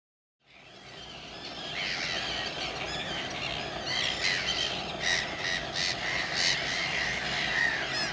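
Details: Common terns at RSPB Saltholme on 17 July 2012, filmed on a Canon 7D camera: after a brief silence, a dense chorus of harsh, overlapping calls from many birds, with loud rasping bursts building in the second half.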